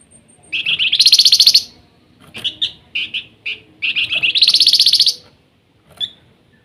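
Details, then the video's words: Flamboyan in active nyiul song: two loud rapidly pulsed buzzy trills separated by a string of short double chirps, ending with one lone note. "Flamboyan gacor rajin bunyi nyiul"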